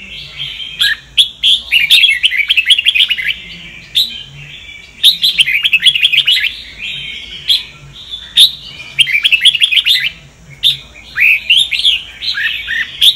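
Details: Kept red-whiskered bulbul, Sông Kon strain, singing for voice training: lively repeated bursts of fast chirping and warbled whistles, each lasting a second or two, separated by short pauses and sharp clicking sounds.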